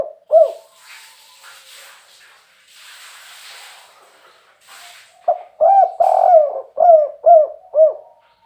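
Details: Spotted dove, a rare captive bird of the three-note "kuk 3" type: one coo, a pause with faint hissing noise, then a series of mellow, hollow coos repeated about every half second.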